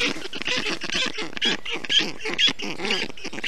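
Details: Young black storks in an Estonian nest on a hot day, 20 June 2021, as the male wets the nest with water, moss and grass. Squeaky, grating calls pour out in quick, overlapping succession, about two per second.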